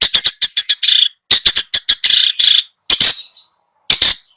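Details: Long-tailed shrike song for training a caged bird that refuses to sing: clusters of harsh, scratchy chattering notes broken by brief pauses, with a few buzzy drawn-out rasps.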